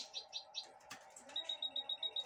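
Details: High chirps from a 2022 goldfinch hybrid feeding on broccoli in someone's hand: three sharp notes, a short pause, then a fast even series of piping twitters, while a man talks quietly in Spanish.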